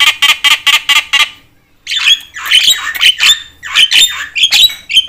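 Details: Loud Javan myna chatter, said to stir up other mynas: a burst of six harsh rasping squawks, a pause, then jumbled buzzy and whistled notes.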